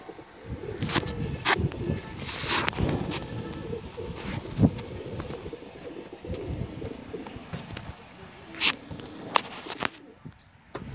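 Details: A flock of pigeons kept at home: soft low cooing runs beneath frequent sharp clicks, taps and wing-like flutters, the coos wavering and partly masked by the clatter.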